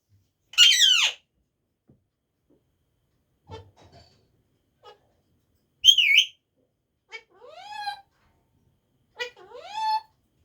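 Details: Talking parrot at home opens with a raspy screech, then gives scattered clicks, a loud looping whistle and two rising-and-falling whistled phrases, roughly every few seconds.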